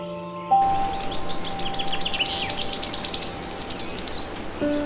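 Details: Forest bird chirping: a fast, even trill of about thirty sharp high chirps. It starts, climbs steadily in pitch, then ends in a thin descending run. A steady low hum and soft background tones continue beneath it.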